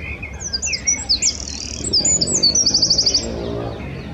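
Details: Eurasian wren singing loudly from a branch beside the Long Water: a fast, very high tumble of sharp whistled notes running into a rapid, even rattling trill, over a faint low background rumble.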